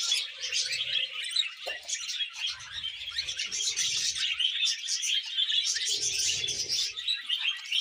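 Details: Captive budgerigars, a male wooing a young female; a steady flow of rapid twittering and scratchy chatter, with faint low thumps underneath.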